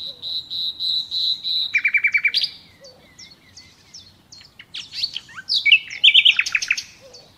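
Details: Natural nightingale song: a sustained pulsed whistle, a run of rapid rising notes, a quieter stretch of scattered clicks and slurs, then a loud burst of sharp, varied high notes.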